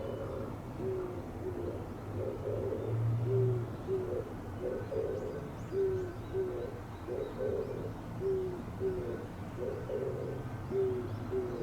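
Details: Cooing Oriental turtle dove, its breast puffed up while calling: a long run of deep, hooting coo phrases repeating steadily, mixing brief and longer notes, against a low rumbling background.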